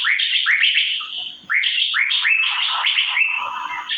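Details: Asian fairy-bluebird chirping: rolling upswept notes repeated in quick chains, with one short break, the phrases full and echoing throughout.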